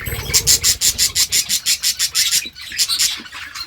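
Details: Budgerigar giving a rapid series of sharp, high chirps, about four each second, with a short gap midway. This chirp is said to set budgies dancing.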